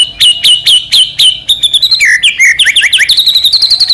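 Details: White-rumped shama in full song, used to provoke another shama into singing: five loud whistled notes sliding down, then rapid chattering runs and quick repeated upslurred notes, about four per second.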